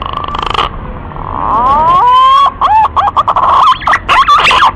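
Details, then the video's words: Green pigeon lure call for hunting: a buzzy pulsed opening, then rising overtone-rich whistles, looping arched notes and a rapid burst of broken whistling. "SUARA BURUNG PUNAI PIKAT PALING JITU"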